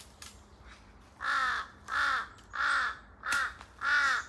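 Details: One of a pair of large-billed crows in forest giving five hoarse, drawn-out caws after a quiet start, evenly spaced about every 0.7 seconds, with faint echo.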